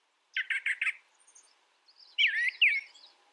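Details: Brown thrasher song: four quick identical chirps in a row, a brief quiet gap, then a louder, tangled phrase of two twisting slurred notes.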